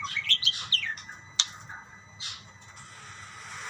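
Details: Budgerigars calling back and forth to each other: a quick burst of bright, sweeping high chirps in the first second, one sharp isolated note, then a softer raspy call fading into faint hiss.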